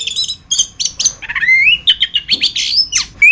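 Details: Masteran song of an orange-headed thrush (anis kembang): high chattering notes, then a long rising slurred whistle followed by quick varied chirps and whistles.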